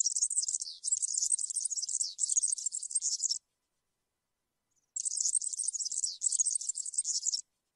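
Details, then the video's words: European serin in cante campero, a field-style song used to tutor young birds: long, very high, continuous jingling and fizzing trills lasting about three seconds, a short pause, then another equally rapid, scratchy outpouring. "𝗩𝗘𝗥𝗗𝗘𝗖𝗜𝗟𝗟𝗢 𝗖𝗔𝗡𝗧𝗔𝗡𝗗𝗢 𝗖𝗔𝗠𝗣𝗘𝗥𝗢"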